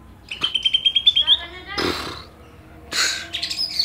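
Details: Greater green leafbird, a Banyuwangi or Kalimantan bird, compared for song content: a quick run of staccato high notes sliding into a long thin whistle, followed by harsh noisy bursts and brief chatter.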